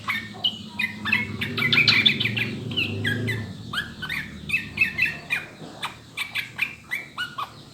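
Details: Yellow-vented bulbul, locally trucukan, on a training track for making birds sing: a jumble of chirps and whistles at first over a low rumble, then a clearer series of quick downslurred notes, several per second.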